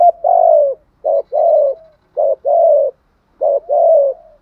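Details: Spotted dove with a tho-voiced cooing style: three clear paired phrases of a short coo followed by a longer drawn-out falling coo, loud and clean.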